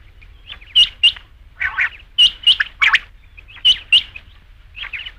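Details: Rain quail calls, for use at night, possibly in hunting: sharp, high double notes repeated about every one and a half seconds, mixed with lower, harsher raspy notes in between.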